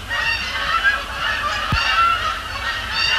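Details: On the evening of 26 October 2017 at Sapsucker Woods Pond, Canada geese flying over and splashing down honk continuously in an overlapping chorus of nasal, two-toned calls, a dense flock clamor with low rumble underneath.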